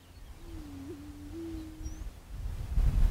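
Greater prairie chicken giving one low, hollow, moaning note of about a second and a half, with a slight wobble midway. Wind rumble follows.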